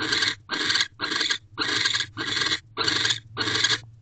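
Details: Nest-box barn owl at 9:11 pm, 18 December 2023, with a pair mating and the male guarding the entrance; loud rasping hisses, each under half a second, follow one another in a quick regular series.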